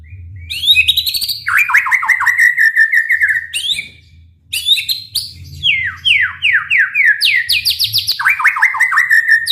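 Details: White-rumped shama in full 'gacor' song with 'tembakan' bursts, meant to stir other shamas into singing: rich, varied phrases of rapid descending whistled sweeps, buzzy trills and quick repeated notes, with a short pause midway and a low hum beneath.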